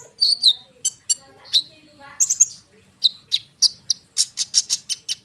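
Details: Energetic konin bird song meant as a lure for sunbirds and other birds; slurred high whistles and chirps, ending in a fast even series of about seven bright notes.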